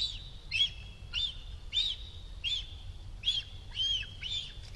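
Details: Nest-bound cinereous vulture youngster, one month past its first flight, Sierra de Guadarrama National Park near Rascafría, begging for food from an incoming adult: high, thin chirps repeated roughly every half second, with low ambient rumble beneath.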